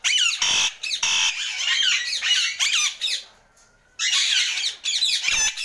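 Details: Indian ringneck parakeet kept indoors giving random sounds: loud harsh screeching squawks in long bursts, a brief quiet gap, then more grating shrieks in a small room.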